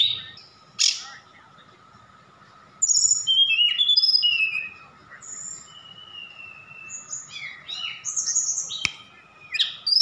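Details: Sukabumi, Indonesia: a Javan bush lark delivers a song rich in mimicry of cililin, sikatan londo and others. An opening chip and a pause lead into scattered high whistles, long level slurs and bursts of twittering, with one click and a constant hum.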